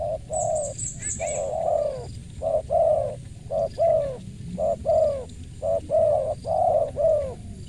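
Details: Spotted dove with a crisp voice cooing steadily in rhythmic groups of short and drawn-out mellow notes. A brief high chirp from another bird is heard near the start.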